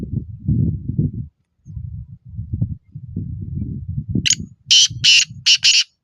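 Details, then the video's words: Low murmuring voices come first, then a black francolin gives four harsh, grating, high notes in quick succession near the end. "kala tattr masti wla n acha acche nasl mein black moshki taeter awz sound like"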